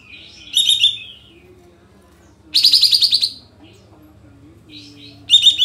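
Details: Full filler lure song of a tail-spread sooty-headed bulbul, meant to excite birds into shooting song. Three high pulsed bursts, the middle one longest with rapid even pulses, separated by soft low warbles.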